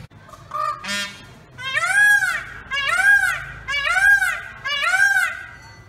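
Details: Peacock perched on a pole gives a run of four loud, arched, trumpeting wails, each about a second long and evenly spaced. Short nasal notes come just before the series.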